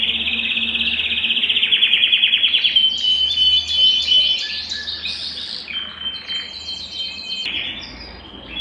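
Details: Belgian canary song meant to warm up a cold canary: a fast steady high trill, then varied chattering phrases and short whistled notes that fade toward the end.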